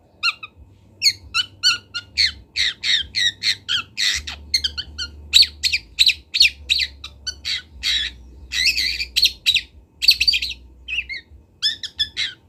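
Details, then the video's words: Young long-tailed shrike, a local bird from Kendal, learning to sing: a fast, busy run of harsh, scratchy notes and short chirps, closely spaced and varied, with a faint low hum beneath. "MASTERAN CENDET TROTOL BELAJAR BUNYI"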